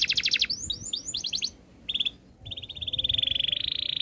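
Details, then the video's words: Canary song with a quick pulsed trill, a short run of rising slurs, a brief pause, then a long, accelerating buzzy roll that swells louder toward the end. "KICAUAN BURUNG KENARI BIKIN KENARI GACOR DOR"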